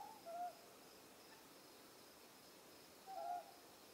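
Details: A Ryukyu scops owl on Ishigaki Island, recorded at night at close range, gives two short, mid-pitched, slightly wavering hoots about three seconds apart, over a faint high insect hum.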